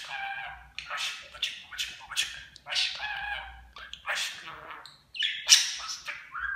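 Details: A talking pet budgerigar chatters in quick, raspy, speech-like Turkish syllables such as "cici kuş", a run of scratchy words and squawks with brief pauses between phrases.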